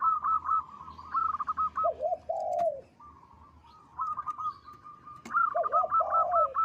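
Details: Zebra dove (perkutut lokal) singing: a quick run of clipped coos drops into a low wavy, purring phrase, pauses, then repeats the rapid coos and the rolling low ending.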